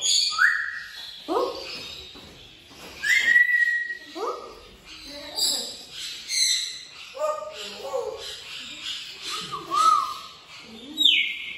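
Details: Talking African grey parrot (Psittacus erithacus) chattering in speech-like phrases mixed with clear whistled notes, some rising and some sliding down, in bursts every second or two.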